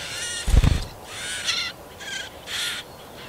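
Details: Marsh warbler bringing food to its chicks, Yekaterinburg, Russia, 30 June 2020; a low thump of handling noise near the start, then four short buzzy, scratchy call bursts.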